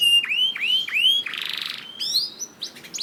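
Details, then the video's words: Canary song recording for training other canaries: repeated rising whistled notes dipping between each, a dense buzzy burst, then a higher slurred whistle and quick chips. "MASTERAN KENARI GACOR AUTO RESPON UNTUK KENARI ANDA YANG SUSAH GACOR"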